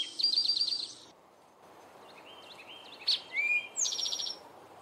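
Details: Male Eastern towhee, "drink your tea" song: a rapid high trill opens, then scattered short notes, then a second buzzy trill.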